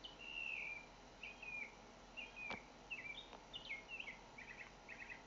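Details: Northern mockingbird song from Naples, Florida: a long whistled note, then varied slurred and chirped phrases ending in two short rattling bursts, with a couple of sharp clicks and light background hiss.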